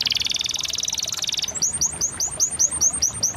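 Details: Canary singing a fast buzzy trill that breaks into a slower run of clear, sharply falling whistled notes, about four each second.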